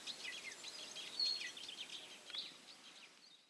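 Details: European pied flycatcher in Carrascoy y El Valle Regional Park, Murcia, Spain: quick high chips and twittering notes, with one clear thin whistle partway through, over soft background hiss.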